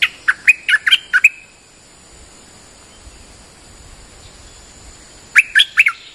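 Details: Bulbul lure call for attracting birds, called nok dok taeng in Thai: a fast run of five or six sharp, bubbly chirps, then a long quiet gap, then another short chirping burst near the end.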